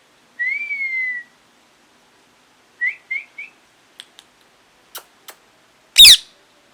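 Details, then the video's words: A long smooth whistled note from a parrot, then three quick rising whistled chirps, several soft sharp clicks and a final loud rasping screech. "Loud Parrot Chirping | Natural Parrot Sounds | Parrot Calling Sounds"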